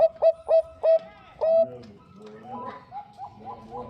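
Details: Zebra dove of the Bangkok type, female calling to the male: four crisp coos and a longer held note, followed by softer, muddled cooing and low background murmur.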